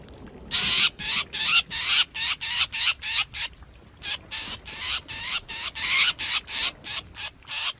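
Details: Black drongo, recorded in 2021 as a trapping lure, giving rapid buzzy rasping notes in quick succession, briefly pausing near the middle before the harsh series resumes.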